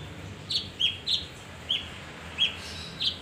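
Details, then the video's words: Leafbird, a male kinoi, lure recording: short bright whistled notes at similar high pitch, repeated roughly every third of a second with small gaps, steady and clean above a low hum. "pancingan kinoi jantan"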